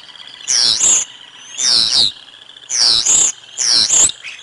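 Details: Bald eagles at the Decorah North nest, with lunch being brought to the eaglets, dated 05 06 2022: four loud, high, harsh squealing bursts, each about half a second long, spaced roughly a second apart.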